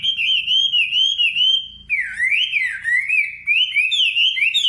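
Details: Singing nightingale giving long, wavering whistled phrases that rise and fall smoothly, with a short dip partway through, clear and unbroken against a quiet background.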